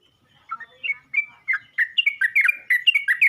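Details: Yellow-vented bulbul calling other bulbuls; after a brief silence it starts with spaced chirps that quicken into a lively stream of bubbling, whistled notes.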